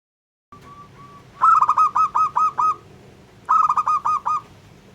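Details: Local zebra dove song, used to provoke other doves: two soft introductory notes, then two bursts of quick, clipped, bubbling coos, the first of seven notes and the second of five, in a quiet setting.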